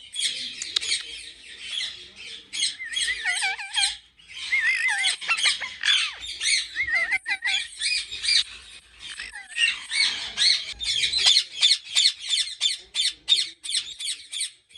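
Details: A flock of captive ringneck parrots at a big breeding farm in Pakistan squawks and chatters rapidly. Some calls are wavering and whistled, and the series ends in fast, regularly repeated sharp notes.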